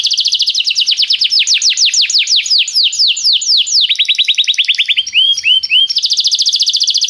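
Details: Canary performing training song: a rapid roll that slows into a sequence of sweeping descending notes, then a run of quick high chips and curled whistles before the fast trill returns.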